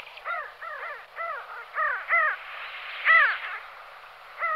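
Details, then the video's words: Pin-tailed sandgrouse calling repeatedly: short nasal, rasping notes arching up and down, about ten in under five seconds, some overlapping as if several birds call together. "Pin-tailed Sandgrouse / Pterocles alchata"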